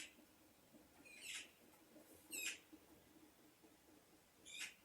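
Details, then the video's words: Bird calls from a sound-effect recording: three brief, sharp, squeaky notes spaced a second or more apart, each a quick rasping burst, against a low background rustle. "Birds (sound effect)"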